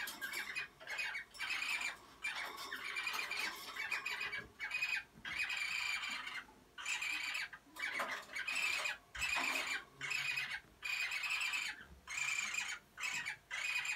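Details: Cockatiels making mating sounds give harsh, scratchy squawks and chattering bursts in quick runs of about a second, with brief pauses between them.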